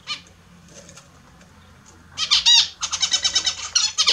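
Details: Kept Australian zebra finches at their morning bath: faint scattered notes, then from about two seconds a sudden chorus of loud, nasal, harmonic honks repeated in a quick run.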